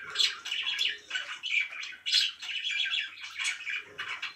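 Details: Pet budgerigars kept indoors give a busy, uneven stream of chirps and scratchy warbles, short loud phrases tumbling over each other with barely a pause.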